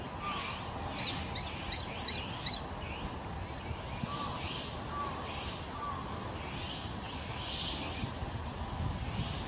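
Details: Juvenile Japanese sparrowhawk recorded 2 July 2022 with a Canon EOS R7: a quick run of about five thin, high, sharp notes in under two seconds, then softer scattered notes, over steady broadband outdoor noise.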